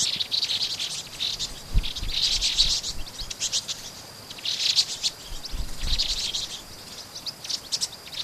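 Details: High, rapid twittering from a flock of vinous-throated parrotbills in Pingtung City, Taiwan, 16 March 2014, rising and falling in clustered bursts every second or two, with faint low thumps in the background.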